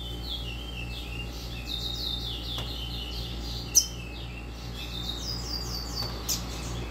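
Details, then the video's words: A fast-singing captive double-collared seedeater, just coming out of moult, sings fast, high, slurred whistled notes in quick repeated 'tui tui zeu' phrases over a steady low hum. "COLEIRA RÀPIDO DO CANTO TUI TUI ZEU"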